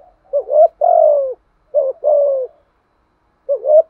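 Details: Spotted dove delivering its urging coo to draw answering calls from other doves; soft low short notes each run into a longer sliding hoot, two phrases, then a third begins near the end.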